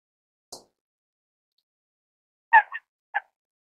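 A falcated duck gives three short, nasal notes in quick succession, preceded by a single soft click; otherwise quiet.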